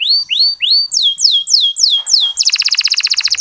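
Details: Local canary lure song for encouraging male canaries to sing: slow, clear rising whistled slurs, then falling sweeps, ending in a fast, bright repeated trill.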